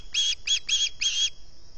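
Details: Hungry osprey calling at dawn from its Salt Point nest, 11 August 2020, caught by a nest camera microphone: four loud, piercing whistled chirps in quick succession, then quiet with light low-frequency noise.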